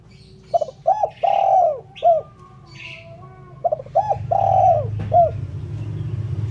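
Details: Cooing of a spotted dove for luring birds: two repeated phrases of clipped notes building into a long falling coo with a short tail note, with faint higher chirps from other birds and low background rumble.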